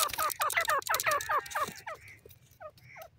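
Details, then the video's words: Grey francolin in a cage delivering a fast burst of loud, upward-sweeping notes that slows and fades into a few softer, scattered calls. "dakhni teetar pinjray pr boli karta ha"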